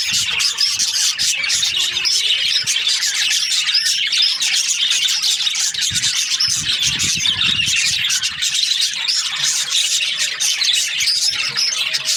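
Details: Breeding-season budgerigars chattering together, a constant mass of sharp chirps, squeaks and scratchy warbles from many birds, with a few soft low thuds near the middle.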